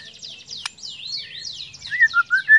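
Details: White-rumped shama song used to prompt other shamas to sing: a fast run of high descending slurred whistles, then a few louder clear whistled notes at the end.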